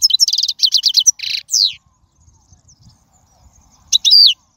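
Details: Wild goldfinch singing for young birds to learn from: a rapid stuttering trill of repeated notes, a buzzy note and a downslurred whistle, quiet, then a final bright warbled phrase.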